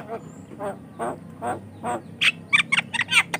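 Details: Energetic Javan myna song, used to lure and tutor other mynas: five slow, hoarse, throaty notes roughly half a second apart, then an abrupt switch to rapid sharp squeaks and chatter.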